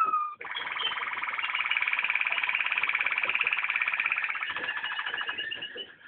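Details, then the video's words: Waterslager canary song: a long continuous rolling tour of rapid, evenly pulsed bubbling notes holding a steady mid-high pitch for about six seconds. "waterslager song"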